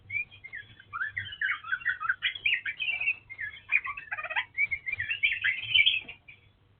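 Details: Oriental magpie-robin, the dark form, singing a varied run of rich whistled and chattering phrases that jump quickly up and down in pitch, with a steady low hum underneath.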